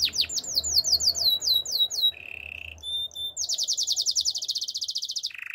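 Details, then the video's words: Training song of a Waterslager canary: rapid series of rising whistled notes, a low buzzing roll, a brief pure whistle, then a long fast high trill ending in another buzzy roll. "Waterslager Canary Chirping! Canary's Training Song"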